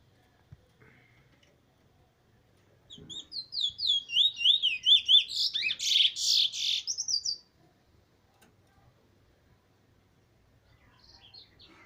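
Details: Trini bullfinch, a black bird of good bloodline, recorded 15 March 2020, singing one burst of about four seconds: rapid repeated high whistled slurred notes that rise and fall, ending in buzzy trilled phrases, with quiet pauses before and after.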